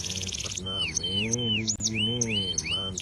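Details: Atlantic canary singing without a cage, a master song for training other birds; a buzzy trill then repeated slurred whistles with a low, harmonic droning tone underneath.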